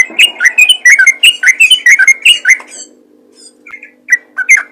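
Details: Yellow-vented bulbul in full voice, calling to other bulbuls: a fast run of bright, down-slurred chirps for about two and a half seconds, then a few scattered notes, over a faint steady low hum.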